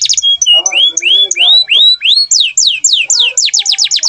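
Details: Canary singing in gacor form: a few whistled notes, then rising slurred whistles repeated about every third of a second, ending in quick descending chips.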